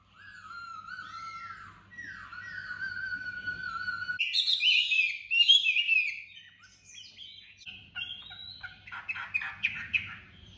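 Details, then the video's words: Tame Chinese hwamei in Hanoi, known for a sharp voice, singing descending whistled slurs that break into a loud, dense burst of rapid trills and chattering notes, then softer varied phrases. "Mi thuần vừa về tâm hồn ăn uống giọng đanh"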